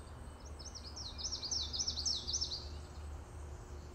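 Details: A common yellowthroat (Geothlypis trichas) in Montreal, Canada, sings a bright, high run of quickly repeated three-note phrases, like witchety-witchety-witchety, for about two seconds over a low, steady rumble.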